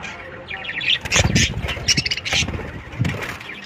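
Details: Colony of 100 breeding pairs of budgerigars: quick high chirps and twitters overlap with low fluttering thumps of wingbeats, in uneven bursts.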